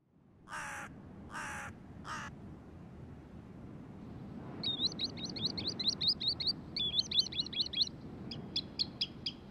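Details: Birds at the drying lake Verkhnee Krivoe: three harsh, broad calls, then quick bursts of high, twittering whistled notes repeated in fast runs, over a steady low background rumble of wind.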